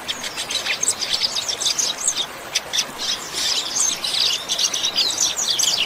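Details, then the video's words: Training recording of a Double-collared seedeater in the 'chuva' song style. Rapid, crackling, high-pitched chatter of short ticking and buzzy notes runs steadily through the whole stretch. "COLEIRO CANTO CHUVA"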